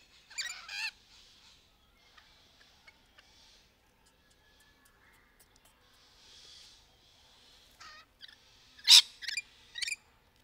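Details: Rainbow lorikeet courtship calls in trees: an opening harsh screech, a long quiet spell with soft chatter, then a loud piercing shriek followed by two shorter squawks.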